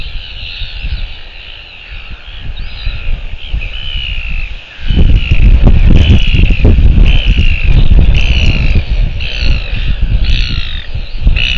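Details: A royal albatross chick in New Zealand on 21 January 2023 gives nasal, wavering calls in quick repeated bursts against heavy wind rumble that rises sharply partway through.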